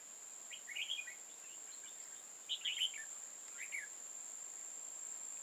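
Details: Red-whiskered bulbul, an old wild bird with a high crest and dark bib, sings during a trapping session on 15 October 2018: three lively fluty warbled phrases spaced about a second apart, with a steady shrill whine behind.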